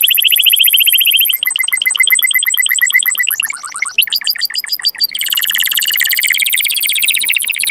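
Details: Canary mating song: a sequence of rapid tours that change every second or so, from rolling trills to chopped notes, ending in a dense buzzy trill.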